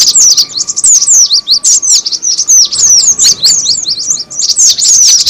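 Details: Lure recording of the cinereous tit: busy stream of piercing, falling chirps, several per second, overlapping in a dense chatter with a low electrical hum in the background.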